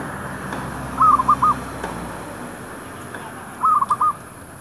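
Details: Zebra dove used as a decoy to attract wild doves in a shop area; two rapid bubbling coo phrases of four notes, about two and a half seconds apart, over low traffic-like rumble.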